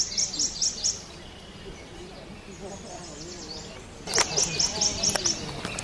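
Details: Prothonotary Warbler singing in the field, first mistaken for an ovenbird: two bursts of high, sharp, rapidly repeated notes, about five in each, with a quiet pause between them, plus a faint murmur of people talking.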